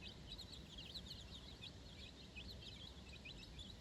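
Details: Baby chickens, four days old, on their first outing onto fresh grass beside their mother; dense high-pitched chirping, quick falling notes tumbling over one another, against a steady low rumbling noise.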